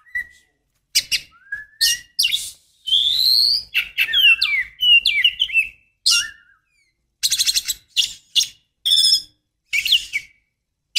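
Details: Female oriental magpie-robin calling to get a male singing: a busy jumble of chirps, sliding whistles and harsh buzzy notes, nearly continuous with brief gaps.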